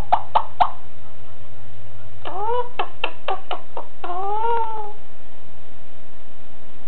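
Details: Female Alexandrine parakeet kept as a pet, talking into a phone. Three short clicks, then a run of quick rising chirps and a longer bending, voice-like phrase; thin, band-limited telephone tone with low background hum.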